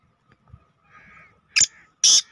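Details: Black francolin (Francolinus francolinus) on an evening, 24 June 2023, giving two loud, harsh, grating notes about half a second apart, after a faint thin whistle-like hum.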